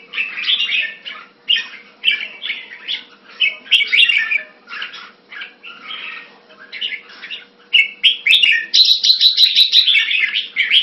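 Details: Red-whiskered bulbul (jambul) hobby bird singing a long series of short warbled chirps, ending in a dense rapid trilled burst; a faint steady hum runs underneath.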